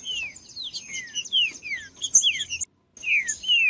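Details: Green-winged saltator song played to warm up cold captive birds; quick series of high, sharply falling whistled notes, with a steady faint high tone behind and a brief silent gap.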